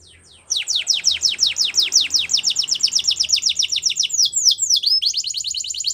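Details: Spanish Timbrado canary song used for training, a fast run of repeated downward-sweeping notes, about three per second... rather, nearly three a second, shifting midway to a tighter, higher series of sharp chirps.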